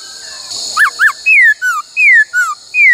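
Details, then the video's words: Black-throated laughingthrush in many-voiced "bắt cô trói cột" training song: two sharp arched whistles followed by alternating long falling and shorter lower slurred whistles, loud and clear above steady hiss. "Luyện khướu hót bắt cô trói cột , luyện hót nhiều giọng cực hay"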